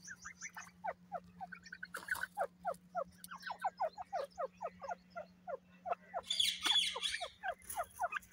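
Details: Grey francolin giving a rapid series of short, sharply descending notes, about three per second, over eight seconds. A steady low electrical hum runs throughout, and a loud hissing burst comes near the end.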